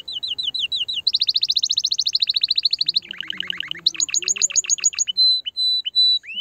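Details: Canary song chosen to stimulate females and encourage mating. Rapid high chirps run into a long, fast-pulsed trill, then lower rolling notes and sharp repeated high chips. The phrase ends with clear, separate whistled notes.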